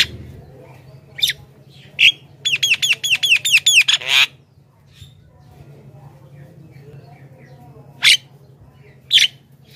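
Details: Javan myna, recorded to lure wild birds, opens with a couple of rasping notes, then a rapid burst of about ten clipped harsh notes, followed by a long quiet pause broken by two more isolated squawks.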